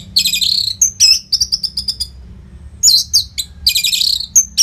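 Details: Orange-headed thrush (anis merah) in steady, nonstop song, played to train competition birds. Dense, rapid bursts of varied, high, sharp whistles and chattering trills, phrases packed closely with only short pauses, a faint low hum underneath.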